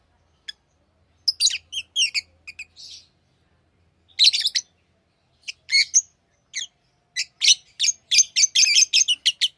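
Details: Tame lovebirds chirping, scattered sharp high chirps building into a fast, almost continuous series of rasping chirps toward the end.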